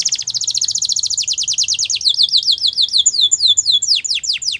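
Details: Belgian canary singing for canary training, a rapid even trill of high notes slowing into longer downward-sweeping whistled notes.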